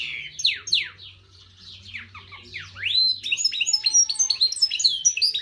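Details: An exceptional European goldfinch (Carduelis carduelis) song: a quick, tinkling stream of high twittering notes and sweeping downslurred whistles, growing busier and more liquid toward the end.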